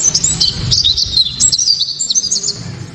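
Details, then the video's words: Japanese white-eye singing a loud, bright song intended to set other white-eyes singing: short bursts of very high, buzzy chirps and slurred notes packed closely together, with faint low rumble. "Pleci kaca mata‼️tembakan‼️penuh sensasi‼️ pleci bakalan ❓ pasti langsung ikut Gacor"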